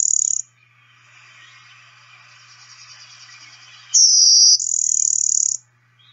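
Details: Blue-winged Warbler giving its type one two-part song: two high, insect-like buzzes in quick succession, a higher note then a lower one, the first slurring down, the second longer and steady, over a faint bird-and-insect chorus.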